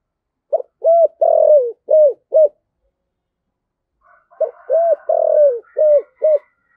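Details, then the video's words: Spotted dove, 'giọng thổ' voice, cục đinh calling style. Two matching phrases of five low coos each, with a long blurred middle note. The phrases are separated by about two seconds of quiet, and faint higher chatter sounds during the second. "cu gáy giọng thổ, cu gay giong tho cuc dinh gay gọi"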